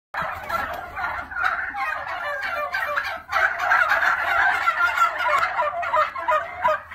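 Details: Black Spanish turkeys, a domestic breed kept at a hatchery, calling continuously: dense rattling gobbles and overlapping clucks in the mid range, several birds at once with only brief dips, in an enclosed space.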